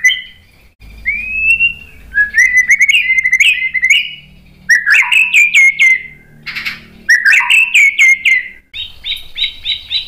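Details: White-rumped shama song meant to provoke rival birds to sing: varied whistled phrases with sharp clicking accents and rolling warbles, separated by short pauses, ending in a quick repeated chattering series.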